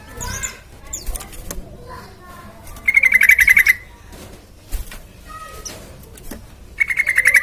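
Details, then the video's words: Lure of a sooty-headed bulbul (trucukan) singing, meant to make other birds sing quickly: two loud, rapid, rattling phrases separated by quieter scattered chirps and background noise. "Pancingan TRUCUKAN Gacor Supaya Cepat Bunyi"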